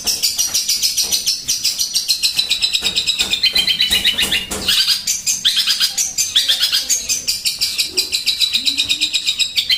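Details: Eurasian tree sparrow in an aggressive 'tembakan' burst: rapid, sharp, high chirping notes repeated in an unbroken stream, with rising and falling buzzy trills layered through.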